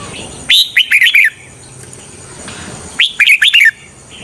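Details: Decoy red-whiskered bulbul singing to draw wild birds toward a trap: two lively phrases, each opening with a sharp upslurred note and then a tumbling run of chirpy whistles, separated by a short pause.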